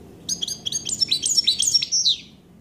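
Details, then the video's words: A common chaffinch (Fringilla coelebs) sings one bright two-second phrase: a rattling cascade of high notes that speeds up and descends, ending in a flourish. "Fringilla coelebs(Passeri)Good coelebs song"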